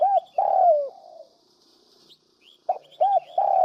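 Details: Spotted dove coo used as a trapping lure: a short note and a long, low coo falling away, a pause with faint high chirps, then two quick rounded notes and a sustained coo.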